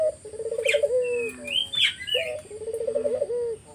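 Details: Collared dove lure song to provoke replies from other doves: two rolling trilled coo phrases each ending in a held tone, while small birds chirp and whistle higher up between them.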